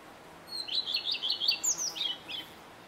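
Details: Male common redstart delivering one song phrase: an opening whistle, a run of five or six rhythmic repeated chirps, then a brief higher twittering flourish at the end.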